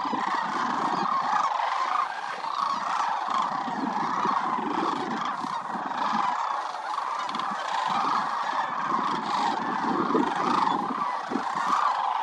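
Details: At Willcox Playa Wildlife Area in winter, a huge gathering of migratory sandhill cranes, more than 20,000 birds, keeps up a continuous wall of rolling, trumpet-like calls, swelling and easing without pause.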